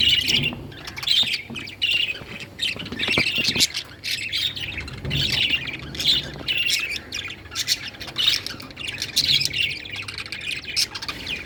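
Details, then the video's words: Several budgies (parakeets) chattering and squawking almost continuously, dense overlapping harsh and bright notes with a steady low hum behind them. "Beautiful budgies||parakeets"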